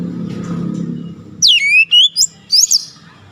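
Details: A low hum fills the background at first. Then a bird breaks in with sharp whistles that drop steeply and rise, followed by a few brief high notes.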